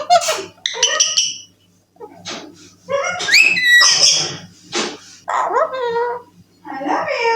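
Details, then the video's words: Young Alexandrine parakeet kept as a talking pet indoors, producing a run of harsh, nasal syllables with sharply rising and falling squeaky tones, separated by short pauses. "Talking Parrot I love you || I love you bolne wala parrot"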